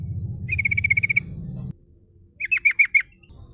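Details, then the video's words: Lure song of a sooty-headed bulbul in rolling style meant to draw rivals: a fast trill of about ten clipped notes over a low droning rumble, a pause, then four louder, slightly rising notes. "Pancingan trucuk bahan suara ngerol nembak memanggil lawan"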